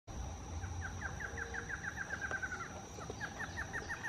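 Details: Colombian Wren, a Colombian endemic, recorded on a birding trip around Bogotá, singing a fast chant of repeated slurred whistles, about eight per second, in two bursts; a steady high insect-like hiss and low rumble run beneath.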